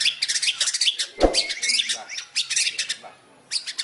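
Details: White-rumped shama imitating fighting sparrows: dense, harsh chirping and squawky chatter in rapid bursts, with a brief low thump midway and a short pause near the end.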